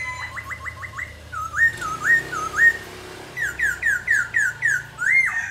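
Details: Black laughingthrush, singing as it dances, gives a fast burst of upslurred whistles, then clear whistled phrases stepping from a low note up to a higher one, followed by a rapid series of short bright upslurs.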